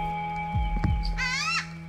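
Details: A Hawaiian crow (ʻAlalā), recorded for a vocalization study, gives one drawn-out, nasal, richly harmonic call of about half a second, rising slightly then dropping. Soft background music and a few low thumps come before it.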